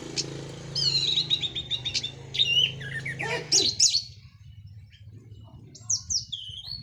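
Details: Orange-headed thrush, Cililin local bird recently through its moult, in teler song: a rapid rattling series of repeated high notes, then clear whistled slurs, against low background murmur that fades midway.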